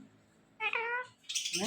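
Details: Ringneck parrot, indoors, gives a short nasal, harmonic, speech-like syllable, then a rough, rising squawk right after it.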